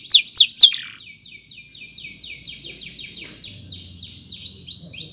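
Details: Canary song for tutoring young birds; a few loud falling chirps open, then a long steady series of quieter descending whistled notes repeated about four per second.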